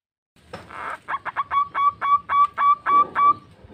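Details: Local zebra dove, an active caller, calling to its companions: a rough burst, then a run of about nine short, clipped cooing notes, evenly spaced and quickening slightly, each with a bright overtone, over faint background rustle.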